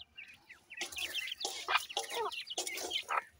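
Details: Dakhni teetar (grey francolin) chicks peeping: brief silence, then bursts of rapid, thin, high-pitched chirps and slurred cheeps crowding together, mixed with rustling, scratchy thumps between calls.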